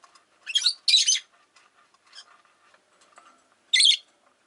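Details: Rosy-faced lovebirds, five birds kept in a cage by a window, give harsh, buzzy shrieks: two close together near the start and one more after a pause, with faint soft chatter and quiet street noise between.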